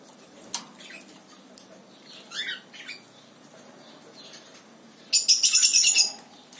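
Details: Lory parrot: scattered clicks and a pair of short rising notes, then a loud second-long burst of harsh, rapidly repeated screechy squawks near the end.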